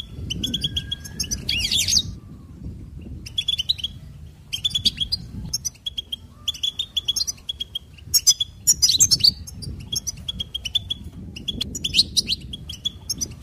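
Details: Lively goldfinch song of fast twittering runs and bright, buzzy trills, phrases coming in clusters separated by short silences, over faint low background noise.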